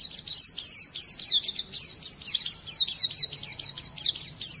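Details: Oriental white-eye giving a harsh, rolling 'ngerol' song to goad other birds into singing, here a steady run of high, quickly repeated downslurred chirps with a faint low hum beneath.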